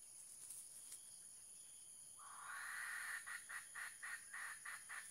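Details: Female red junglefowl kept as a trained decoy bird gives a drawn-out rising note, then a run of quick clucking pulses, roughly four each second, over a steady high insect drone.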